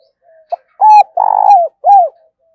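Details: Decoy spotted dove calling: a faint low hum, then a short hoot, a strong level coo, a long trilled coo that falls at the end, and a last arched coo curving downward; otherwise still.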